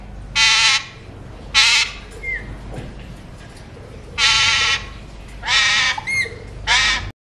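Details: Repeated harsh squawks from a seed-eating talking-mutation Alexandrine parakeet, five loud rasping bursts spread over about seven seconds, with a short whistled note between the first pair and another near the end.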